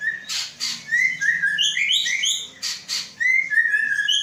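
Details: Caged white-rumped shama from Aceh, Indonesia, hatched 23 August 2012 and readied for breeding. It gives clear whistled notes that slur upward, mixed with higher sweet twitters and two harsh bursts. The phrases come in quick succession.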